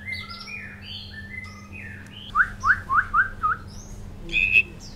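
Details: White-rumped shama after one moult giving clear flat whistles, then five quick descending notes in a row, ending with a high trill-like phrase, over a faint low hum.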